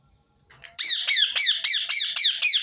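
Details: Rose-ringed parakeet calls looped to make other birds sing: a steady run of about seven harsh, ringing screeches, each sliding down in pitch, delivered roughly three to four per second.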